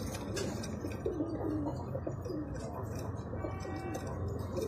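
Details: Jaafari pigeon, said to be the smallest pigeon breed in the world, giving soft low coos in short wavering phrases over steady broadband background hiss, with a few faint clicks.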